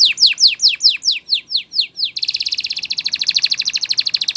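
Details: Spanish Timbrado canary training song with a series of about ten slow, descending buzzy sweeps, then an abrupt switch to a very rapid, even, bell-like trill held for two seconds.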